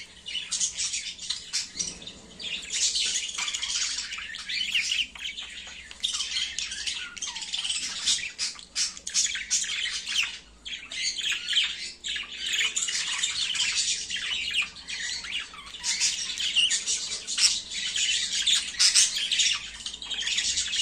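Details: Budgerigars mating: a continuous, high, scratchy warble of squawks and chirps with barely a pause.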